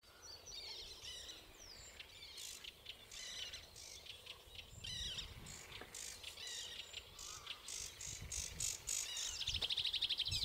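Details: Male common linnet filmed in May at the Zouweboezem nature reserve, Netherlands, from a walking path: a rapid, busy run of varied high twittering and chattering notes, with a faint background of other birds.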